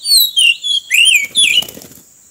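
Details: Oriental magpie-robin trapped along a road, delivering a loud sequence of five sweeping whistled notes, some falling and some arching upward, ending amid rustling and fluttering sounds, with a constant high whine behind.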